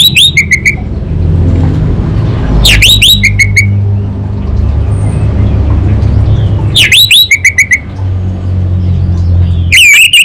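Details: Orange-headed thrush, a contest-trained bird from Singaraja, Bali, Indonesia, repeating the same phrase about every four seconds: sharp downward-swooping whistles followed by a few short flat notes, with steady low traffic noise between phrases.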